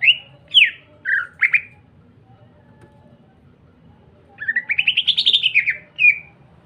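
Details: Greater green leafbird (cucak ijo) in lively singing form, used as a lure to stir other green leafbirds into song: bright whistled and chattering notes at first, a pause, then a quick rising run of about a dozen notes, one short closing note, faint low hum.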